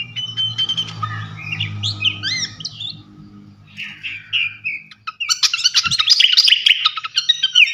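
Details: Flycatcher singing a lively, varied song for training champion songbirds: clear whistled notes and slurred phrases, then a burst of dense, fast chattering twitters toward the end over a low steady hum.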